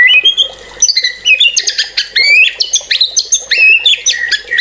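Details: White-rumped shama in rapid, loud song: dense bursts of high, metallic chattering and squeaky notes, delivered in quick phrases with brief pauses between them.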